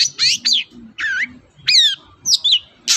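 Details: Long-tailed shrike song used to get a quiet shrike singing: varied whistled phrases with sliding, stepped rising and falling notes, a few per second, plus a soft low rumble underneath.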